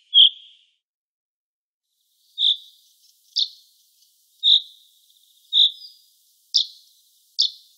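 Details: Common chaffinch, a songbird of the finch family: short sharp high notes repeated roughly once a second, some single and clear, others slightly buzzier, with near-silent gaps between them and no other sounds.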